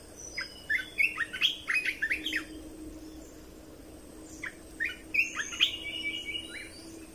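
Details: Red-whiskered bulbul, recorded as a training and excitement sound for birds: two bursts of rapid, bubbling whistled phrases, the first lasting about two seconds, the second after a pause near 4.5 seconds, with background hiss.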